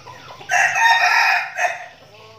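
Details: Red junglefowl decoy bird from a trained flock in Bình Phước, Vietnam, giving a single short crow: a sudden loud harsh phrase held for about a second, then a brief clipped final note, over quiet background.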